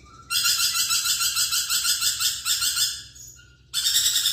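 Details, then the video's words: Lorikeet in full chattering voice, a harsh, buzzy, screeching stream broken into rapid pulses about four per second, pausing briefly near the end before resuming. "BURUNG NURI PERKICI GACOR"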